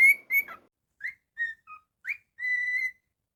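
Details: Pet cockatiel giving two loud clear whistles, then a string of spaced short whistled notes at slightly different pitches, finishing with one long steady whistle; quiet room otherwise.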